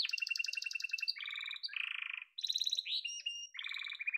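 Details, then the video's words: Yellow domestic canary singing quick changing tours: chattering rolls, a low buzzy rattle, a rising whistled slur and a final lower rolling trill. "Muhteşem Kanarya Sesi: Sarı Kanarya'nın Efsanevi Ötüşü"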